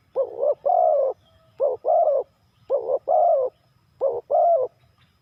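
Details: Spotted dove in its '3 kuk hanging' call style, four evenly spaced phrases about once a second. Each is a clipped double coo ending in a longer, warm, slightly wavering note.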